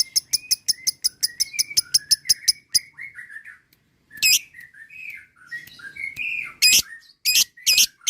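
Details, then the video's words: Lovebird ngekek chatter: a rapid burst of piercing chirps over soft lower whistles, then a pause, scattered twittering and a few loud harsh squawks toward the end. "Pancingan Paling Jitu LOVEBIRD KICAU ngekek Panjang"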